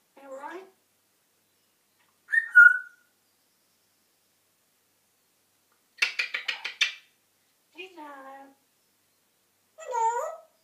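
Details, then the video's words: African grey parrot giving a string of short vocal bursts separated by pauses: a bright whistled note, a rapid buzzy stuttering burst, and several warbling, speech-like harmonic phrases. "African grey parrot talking and whistling"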